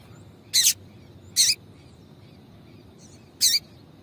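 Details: Female Double-collared seedeater calling to stimulate a male: three short, bright, high chip notes, the first two close together and the third after a two-second pause, with near silence between them.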